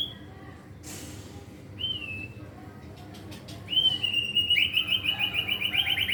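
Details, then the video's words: Young caged white-rumped shama practising its varied repertoire: a brief noisy burst, a level whistle, then a long fast trill of high pulsed notes. "murai batu pastol belajar gacor bongkar materi!! isian ngeri bos"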